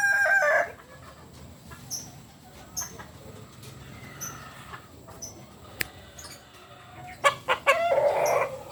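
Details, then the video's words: Kokok Balenggek chicken, native to Solok, West Sumatra, crowing: a loud harmonic crow cut off at the opening, a quiet stretch with faint scattered knocks and chirps, then loud broken crowing bursts returning in the final two seconds. "Ayam kukuak Balenggek... Asli solok Sumbar.."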